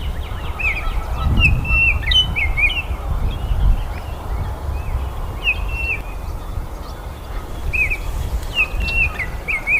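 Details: Baltimore oriole singing: short clear whistled phrases with slurred, slightly buzzy notes, repeated in bursts across the clip over a steady low rumble of wind or distant traffic.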